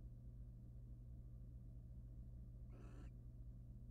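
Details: Wild barn owls at a nest box during mutual preening, male grooming his mate; a single short harsh rasping screech late in the clip over continuous low hum.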